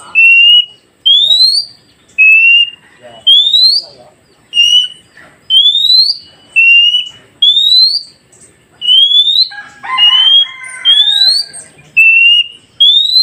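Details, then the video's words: Long run of oriental magpie-robin whistles played to help freshly caught forest birds answer fast: a flat note and a rising note alternate regularly, about once a second, with a brief burst of lower chatter in the middle. "Dengarkan KACER ini Agar Kacer hutan Baru Dapat Cepat nyaut"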